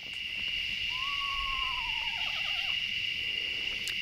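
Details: Around midnight at an overnight mountain camp on a night of about 50 degrees, an Eastern Screech-Owl gives one descending, quavering, horse-like whinny lasting about two seconds, over a steady high insect drone.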